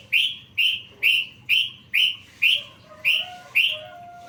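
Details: Yellow-vented bulbul song filled with learned phrases, a masteran recording used to train other songbirds: eight bright, slightly falling chirps repeated about every half second, with faint lower whistled tones near the end.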